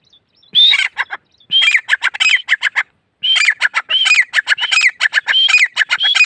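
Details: Grey francolin calling in a loud, fast run of sharp, ringing notes. Each note rises and falls, and the notes come in two bursts split by a brief pause near the middle. No other sounds are heard.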